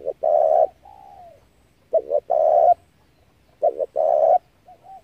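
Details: Spotted dove giving its call, recorded as bait to excite decoy doves for trapping: three strong phrases of a brief double note and long husky coo, separated by soft falling or paired notes.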